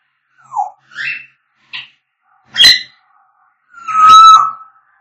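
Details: African grey parrot sounds: a string of short squeaky and harsh notes, then a long steady mid-pitched whistle with a rough edge, in a quiet indoor setting.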